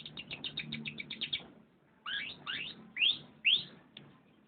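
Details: Canary delivering a rapid trill of about a dozen evenly spaced high notes, then a short pause followed by loud upward-sweeping whistled notes.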